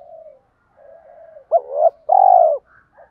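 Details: Spotted dove luring call: soft background cooing, then a loud hooked note that swells, a brief gap, and a long steady coo, with fainter coos after.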